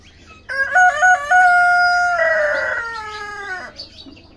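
A Golden Buff rooster gives a single loud crow: a few choppy opening notes, then a long, strained, drawn-out tone that fades at the end.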